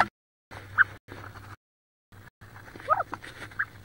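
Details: Wood duck hens squabbling inside a nest box near Richland, Washington, one hen sitting on about 18 eggs; short scattered squeaky calls and scuffling between brief silences, with a faint low hum throughout.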